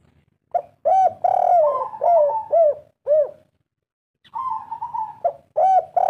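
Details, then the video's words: A local spotted dove, an old decoy bird, gives a lively run of soft, hollow, arching three-part coos in quick succession, broken by a brief pause and one longer, level note; used as a lure call. "Derkuku kuk 3 lokal gacor ngamuk"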